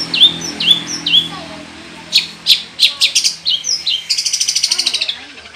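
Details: Long-tailed shrike singing actively with many mimicked phrases, used to prompt other shrikes to sing: three clear downslurred whistles, then a run of harsh clipped notes, ending in a rapid buzzy trill.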